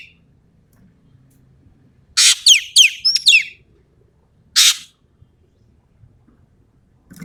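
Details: Common green magpie of Sumatra in lively song: a rasping burst with three sharp falling whistles, followed a second later by a lone harsh rasping note, then quiet.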